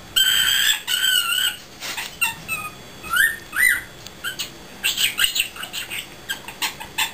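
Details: A newly acquired pet cockatiel, male, trying to talk while roosting, repeating his favourite word "pretty" many times; bright, chattering whistled phrases with sliding, rising notes, short bursts separated by brief pauses.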